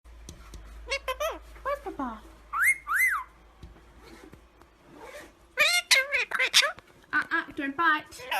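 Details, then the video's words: Indian ringneck parakeet talking indoors: a run of bird-voiced syllables, some with sweeping whistled pitch, in short bursts with pauses, with a person's voice afterwards asking a question. "Indian Ringneck Parrot Talking and Saying Peekaboo"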